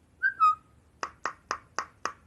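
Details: Bird song likened to a robot: two short whistled notes, the second longer and slightly lower, followed by five sharp, crackling clicks evenly spaced about a quarter second apart.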